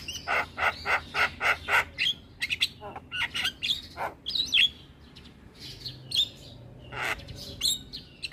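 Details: Starling song used as a lure to spur a starling that has stopped singing into singing and head-bobbing: a run of six fast, harsh, evenly spaced chattering notes, then scattered squeaks and whistled rising notes.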